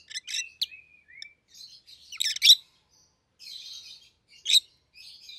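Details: Rosy-faced lovebirds kept as a pet pair, yellow and green with red heads, make mixed chatter: gliding downward whistles, dense harsh chirp bursts, and a softer buzzy stretch between louder squeaks.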